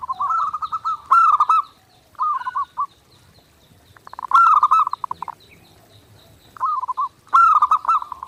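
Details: Zebra dove in full nonstop song, used as a clear master for daily training: bursts of fast stuttered notes run into level rolling coos, each phrase about a second long, returning every two to three seconds.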